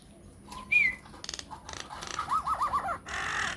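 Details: Myna lure song to make other mynas respond. A clear whistled note and clicks are followed by a series of wavering, looping whistles, ending in a harsh rasping burst.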